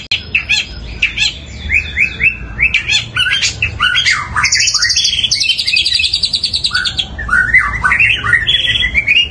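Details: Long-tailed shrike in fighting-style, long and loud nonstop singing, mimicking house sparrows: a dense, fast stream of sharp chirps, rapid high trills and buzzy slurred notes without pause.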